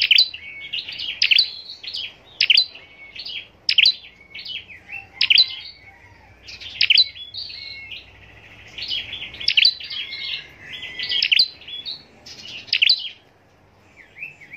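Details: Caged scarlet-backed flowerpecker kept for singing contests, delivering bursts of high, thin, sharp chirps and twittering notes in quick clusters, repeated about every second or so, over a quiet background.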